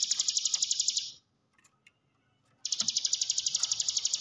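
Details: Hill prinia song played as a lure to get quiet caged birds singing: a dense, buzzy high trill of rapid even pulses, broken by a short gap with faint ticks, then resuming just as fast.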